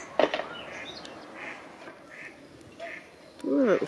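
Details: Mother mallard on a river calls her new ducklings as they struggle against a strong current: a few short nasal quacks, then a louder run of rasping calls, over a man's voice and flowing water.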